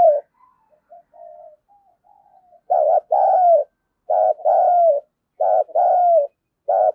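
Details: Spotted dove used as a lure bird with a 'giọng đồng pha' voice to provoke fighting; after soft faint notes, loud hoarse two-part coos come in groups, a short note then a longer falling one, three times.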